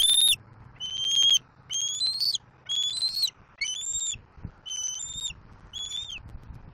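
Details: Juvenile bald eagle in Southwest Florida, 7 April 2024, squealing as it takes a fish from its father and wants to be fed. Piercing high whistles, some dipping then rising, repeated about once per second with faint low rumble underneath.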